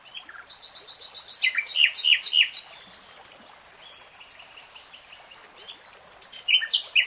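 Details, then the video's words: Nightingale song: a quick rattling run of repeated notes building into loud sharp chirps, a pause filled with soft background hiss, then a few more loud clipped notes. "Nightingale Singing"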